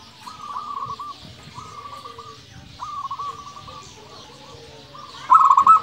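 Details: Local Indonesian zebra dove (perkutut) in 'nembak' singing style: several short rolling cooing phrases of quick trilled notes at even pitch, spaced about a second apart. A louder burst closes the clip.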